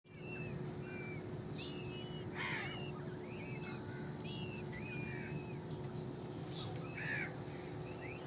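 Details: Indian peafowl (Pavo cristatus), chick calls.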